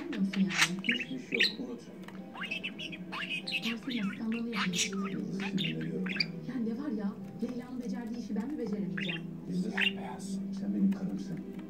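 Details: A young pet budgerigar that began talking soon after joining its family chatters in a fast, scratchy warble mixed with Turkish speech-like mimicry and sharp chirps.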